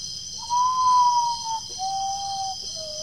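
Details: Common potoo song recorded at Guaraú, Peruíbe, São Paulo state, Brazil, 20 September 2018, with playback: three plaintive whistles stepping downward, the first longest and loudest, against a continuous shrill insect chorus.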